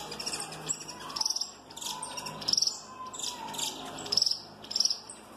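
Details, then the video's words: ['Giant-mutation Peruvian saffron finch snapping loudly: short bursts of high, clipped trilled notes repeated roughly every second and a half, a softer lower whistle underneath, constant background hiss.'] "CANÁRIO DA TERRA PERUANO ESTALANDO MUITO FORTE - CANTO DO CANÁRIO DA TERRA MUTAÇÃO GIGANTE"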